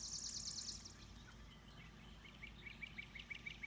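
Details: Bird singing at 5 in the morning: a high buzzy trill during the first second, then a run of short, sharp chirps repeated quickly toward the end, over a steady low rumble of background noise.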